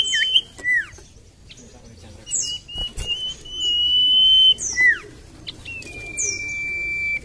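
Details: Common iora singing as a lure recording meant to prompt reluctant birds to sing: a long, steady, high whistle held for over a second, then sharp downward-slurred notes and scattered thin, high chirps, with soft rustling between phrases.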